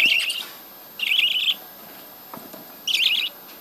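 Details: Budgerigar calls from a breeding colony: short trilling, warbled bursts repeated roughly every second and a half against a quiet background.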